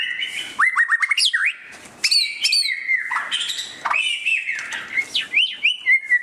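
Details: Displaying white-rumped shama pouring out rich song, rapid repeated whistled notes, upward and downward slurs and mixed harsher bits, delivered in lively phrases with short gaps.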